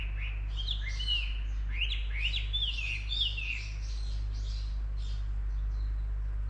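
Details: Unnamed bird delivering a lively song of rising and falling whistled notes and quick chirps, steady low hum underneath.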